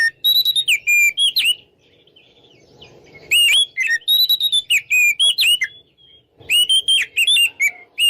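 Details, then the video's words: Oriental magpie-robin ngeplong song from a lure mix intended to provoke rivals: bright whistled phrases alternating steady notes with down-slurred chips, given in bursts separated by short quiet pauses. "PancinganKacerNgeplong|| Bikin Lawan Ngajak Tarung"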